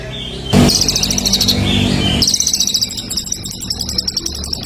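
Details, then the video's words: Competition songbird singing energetically: a loud thump, then a sharp high trill near one second long, a thin whistle, and a second rattling trill running on, with low background hum. "masteran burung lomba super gacor"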